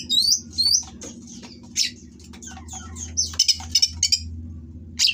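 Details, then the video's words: Oriental magpie-robin in mating condition, raised on a breeding farm, singing rough material to rile rival birds: rising squeaky whistles, then a rapid string of short sharp ticking notes, over a low hum. "Burung Kacer Kawin Bongkar Materi Kasar Bikin Lawan Langsung Emosi / Masteran Kacer Gacor"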